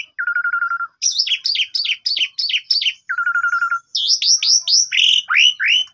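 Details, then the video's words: Javan pied starling song used each morning to coax a silent bird into singing, recorded with a phone: a low steady trilled whistle, a run of six falling slurs, repeated, then rising whistled sweeps. "PANCINGAN WAJIB TIAP PAGI !! JALAK SUREN BISU LANGSUNG GACOR MOMPA"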